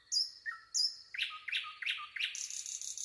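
A nightingale sings two high, thin whistled notes, then four loud, quick chattering notes, ending in a rapid high trill.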